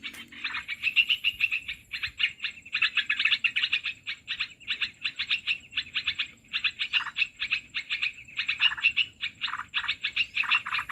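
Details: Olive-winged bulbul lure call for trapping, a long run of fast, busy chattering and bubbling notes, nearly continuous with brief breaks, over a quiet background.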